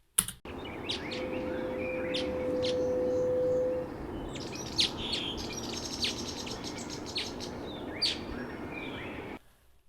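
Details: A buff-spotted flufftail, offered for comparison with the similar desert rain frog, gives one long, low, hollow hoot held steady for about three seconds and swelling slightly, with scattered high chirps from other birds behind it.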